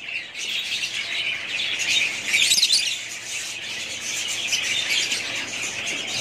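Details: Budgerigars kept as a family group call at once, making a steady wash of shrill chirps and rasping warble, with a brief louder flurry of sharp notes near the middle.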